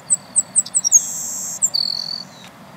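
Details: Savannah sparrows singing at Millennium Park, West Roxbury, Massachusetts: about six thin, very high chips, then a hissing buzz, ending in a lower, drawn-out buzzy trill.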